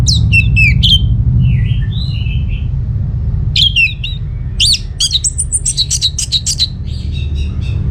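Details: Vigorous orange-headed thrush song used as a lure for other birds to answer. Fast, varied, high whistles and slurs run into rapid repeated chattering notes, over a low background rumble.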